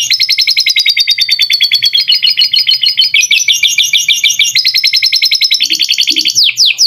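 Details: Canary song used as a master recording for training songbirds, with lovebird-style phrases included: loud, fast continuous trills and rattling repeated notes, shifting pitch between phrases, with a faint low hum beneath.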